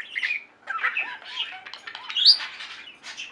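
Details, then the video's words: Budgerigars in a pet flock warbling: continuous chatter of rising and falling chirps and soft squeaks, peaking in one loud shrill note midway. "Most Beautiful Budgie songs Ever: Budgies singing and chirping"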